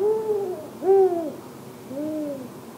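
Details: Arabian eagle-owl chick documented in Tanomah governorate, giving three drawn-out, slightly wavering hoots in quick succession, the middle one loudest and the last softer and lower, with faint background hiss.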